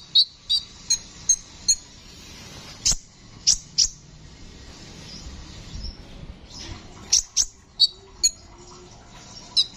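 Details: Brown-throated sunbird, called kolibri ninja locally, singing energetically. A handful of sharp high chips, then a few louder ticks, a quiet stretch of about three seconds, and another burst of piercing chips and thin squeaks.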